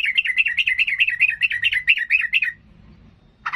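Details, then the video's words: Sooty-headed bulbul singing emotionally to provoke rivals: a continuous, rollicking warble of rapid up-and-down chirping notes lasting over two seconds, then silence and a final sharp note. "Suara trucukan gacor Garuda emosi ini paling pandai membuat lawan jadi Ngamuk tarung"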